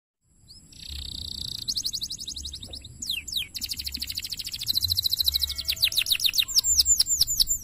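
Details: Canary in full, vigorous song on a tutoring recording: soft opening, then fast buzzy trills high in pitch, followed by rapid runs of sharply falling whistled notes that grow louder toward the end.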